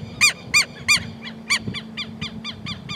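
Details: Southern lapwing sounding several loud, strident barking notes spaced unevenly, with quieter, more distant-sounding notes of the same kind in between, over a low rumbling background.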